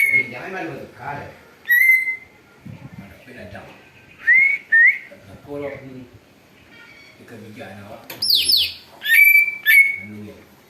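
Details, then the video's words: Greater green leafbird in chattering mood, described as copying an eagle's voice for use in bird luring: scattered sharp upslurred whistles, a rough, falling screech near the end, low murmuring sounds between phrases. "cucak ijo ribut bisa tirukan suara elang"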